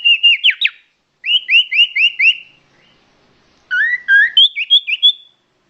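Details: Common iora lure call, clear and loud: a phrase of four short whistles, then five evenly repeated rising whistled notes, a pause, then a varied run of bright whistles stepping higher.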